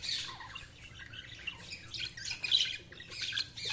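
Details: Budgies keep up a soft, steady twitter of overlapping high chirps and scratchy notes with no pauses, a little louder midway.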